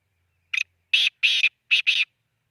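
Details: Black francolin calling near Khushab: a short harsh burst followed by grating, buzzy notes in a broken pattern of five, with no other sounds in the background.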